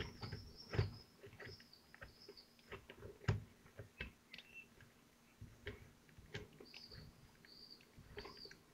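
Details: Common kestrel nest in Théding, France, 25 June 2023, during a meal: short high squealing calls at the start and again near the end, separated by loud knocks, clicks and rustling from movement at the nest.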